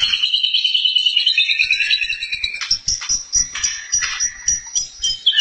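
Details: White-rumped shama (murai batu) song: loud, clear whistled phrases sliding between high and mid pitch, then a choppy run of short, sharp, varied notes with brief gaps.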